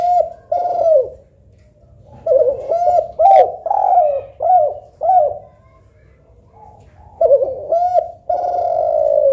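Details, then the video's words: Spotted dove, local tekukur or Kelantan derkuku, cooing in a soft, melodious contest comparison: low hooted coos near 600-700 range, short arched notes in bursts with pauses, then a long drawn final coo; quiet background hum. "Tekukur Lokal Vs Derkuku Kelantan ‼️ Manakah Yang Lebih Syahdu & Merdu Yah Lur ?"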